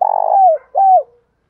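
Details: End of a spotted dove phrase from a lure recording for calling wild birds: a pulsing purr that smooths out and falls, then one clear, downward-curving coo.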